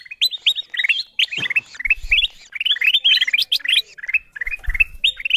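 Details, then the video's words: A golden bulbul lure call to attract wild birds: rapid, bright chirps and warbled phrases in quick succession, with a few soft low thumps in the background. "Suara pikat kutilang emas memanggil burung liar"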